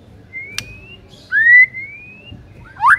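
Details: White-rumped shama master song for training silent birds: two long clear whistles drawn out and slowly rising, the second louder, with a short sharp note and a brief rising whistle at the end.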